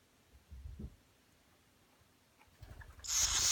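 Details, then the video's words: Swallow chicks begging while being fed by their parents: after low rumbling handling noises, a sudden loud burst of dense, high-pitched hissing and buzzing erupts in the final half second. "Pääsukesed toidavad poegi"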